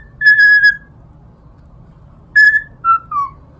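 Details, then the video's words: Cockatiel imitating the Totoro melody: one sustained clear whistle, a pause, then three notes stepping downward, over a low steady background rumble. "Cockatiel sings my neighbor totoro"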